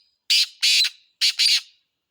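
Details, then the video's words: Harsh, grating call of a black francolin: two buzzy rasping notes in quick succession, a pause, then a second pair, the last note trailing off, with no other sounds. "Kala Teetar ka khubsurat Awaz"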